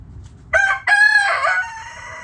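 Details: Rooster in a backyard flock gives a brief crow, a short clipped opening note and then a sustained harsh, falling cry lasting under a second, over faint low background hum.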